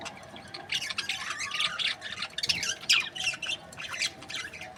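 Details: Quieter budgerigar chatter from birds kept in breeding pairs: scattered high chirps and short warbled squeaks over a soft background hum.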